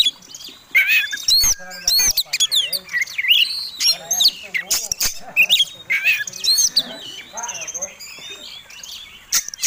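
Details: Oriental magpie-robin fighting song, ngobra ngotot style, used to provoke other birds. Continuous varied phrases of high whistles, harsh squawky notes and upswept chirps, broken by frequent sharp clicking knocks.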